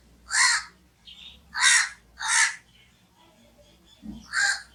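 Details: Crow giving four loud, hoarse caws spaced a second or so apart, with a faint higher note between the first two and a low thump near the end.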